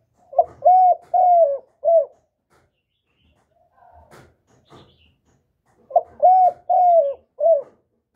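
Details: Spotted dove, played to make caged doves respond: a low four-coo phrase, repeated after roughly four seconds, the middle notes drawn out and slightly falling, with faint tapping sounds in the pause.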